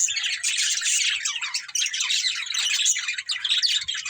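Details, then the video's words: Budgies from a breeding pair family giving a steady run of rapid, high, raspy chirps and chattering warbles without pause. "Beautiful Budgies Chirping Sounds"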